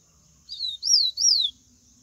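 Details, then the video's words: A wild yellow-bellied seedeater gives a short Bahian-style (baiano) phrase of three high whistled notes. The first note is softer and the next two are loud, arching slurs that fall away at the end. Steady faint high hiss behind. "papa capim baiano canto selvagem"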